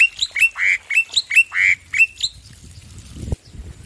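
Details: Loud male black-winged myna giving a series of harsh, squawking notes. Short clipped chirps alternate with longer buzzy rasps, about one each half second, before the bird falls quiet over low background noise.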